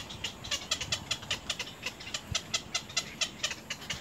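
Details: Little egret chicks at the nest snapping at their mother: quick, scratchy clicks repeated roughly four per second, uneven in loudness, over low background noise.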